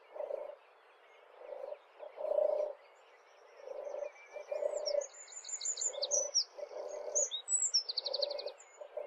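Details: European turtle dove (Streptopelia turtur) song, now rarely heard in the UK: low, gentle purring 'turr-turr' in soft bursts about every second or two, with other small birds twittering high above.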